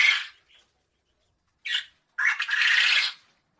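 A quail gives harsh, raspy bursts: two short ones and then a longer, rough churring call of about a second.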